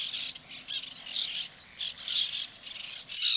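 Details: Harsh rasping calls of white-winged terns at their nesting colony, short scratchy bursts coming irregularly about once a second, some louder birds close by.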